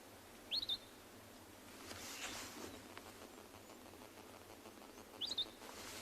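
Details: Various bird species calling at sunrise on a morning safari in a South African game reserve, 31 May 2020; two high, quick chirped calls a few seconds apart over a soft outdoor hiss.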